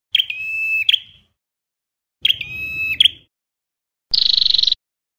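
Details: Ashy Tailorbird song: two long, flat, shrill whistles, each opened and closed by a sharp chip, followed by a rapid buzzing trill, with clean silent pauses between phrases.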